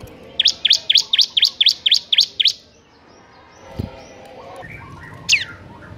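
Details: Bar-winged prinia singing in the lively ngebren style: a fast run of about nine sharp, rising-falling chirps at roughly four per second, then a pause and one high downslurred note.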